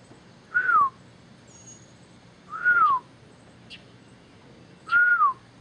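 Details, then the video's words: Male mockingbird singing at Okeechobee: loud clear whistled notes, each a brief level tone slurring downward, repeated three times about every two seconds over quiet background hiss. "Okeechobee Mocking Bird Singing HisStory"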